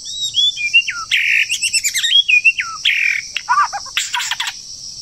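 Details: Loud, close song of a moulting wild bird in the breeding season: sweeping descending whistles alternate with dense chattering bursts and rapid twittering notes, over a faint steady insect whine.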